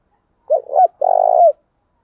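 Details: Spotted dove, used as a lure bird to draw wild doves, giving a loud coo: two short rounded notes followed by a long, slightly throbbing hoot that bends downward at the end, on a silent background.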